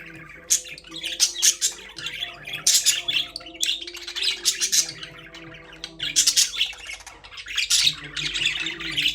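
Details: Several caged budgerigars chirping: dense, overlapping bursts of scratchy, high chattering warbles and sharp squawks in rapid clusters, with brief pauses near the middle, over faint steady low humming tones.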